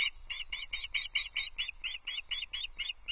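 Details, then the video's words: Impatient calling from a female osprey at her Loch Arkaig nest on 15 May 2024 as her mate approaches with a fish: a steady, unbroken series of piercing high chirps, about four or five each second, over low background rumble. "Sounds like Dorcha has seen Louis - she's calling impatiently"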